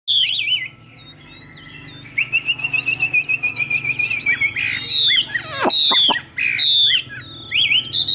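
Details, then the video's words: Caged Chinese hwamei for sale in Vietnam, praised for fine singing: bright whistled notes, then a long steady trill of rapid pulses, followed by loud downslurred whistles and quick rising phrases, with low background hum. "Họa Mi Dáng Dấp Bóng Bộ Đẹp, Hót Tốt Giọng Hay"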